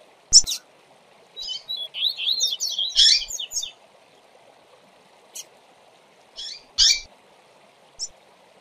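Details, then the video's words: Double-collared seedeater tutor song used for training: a burst of rapid high twittering notes lasting about two seconds, followed by scattered single sharp chirps with pauses between, over a constant low background hum. "Esquente a FIBRA do seu Coleiro em 20 Minutos - Coleiro Professor Aprendizado"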